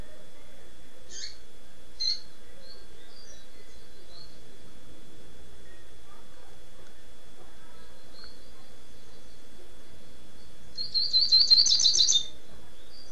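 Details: Rusty-collared seedeater in Niterói, Rio de Janeiro, tirano song: a couple of isolated sharp high chips, a long pause with faint notes, then a fast, buzzy, chattering high phrase lasting about a second and a half.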